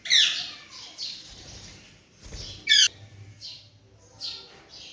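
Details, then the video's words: Young pet Alexandrine parakeet in 2023, learning to talk: a loud raspy squawk at the start, then soft hissy chatter and a second sharp squawk midway, with brief low rumble in between. "Raw parrot Alexandrine parrot ki progress a gi alhamdalilla"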